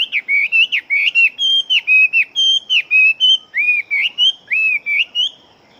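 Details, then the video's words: Big-bodied fighting Chinese hwamei singing rapidly: a steady stream of loud, rich whistled notes, each rising then falling, about one per second, with sharp upper overtones and no other clear sounds. "Họa Mi Chiến Siêu Mau Mỏ Bộ To Hót Tốt"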